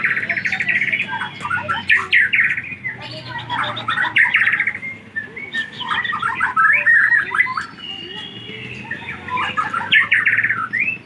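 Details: White-rumped shama from Aceh, recorded 24 December 2022, delivering a rich, varied song of rapid chirps, slurred whistles and warbled phrases in dense bursts.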